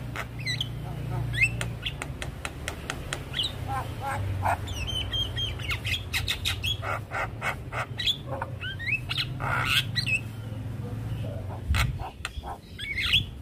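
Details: Javan myna, stressed after hearing another Javan myna calling, giving rapid harsh chatter: dense runs of sharp rasping clicks mixed with short squeaky whistled notes, over a constant low hum.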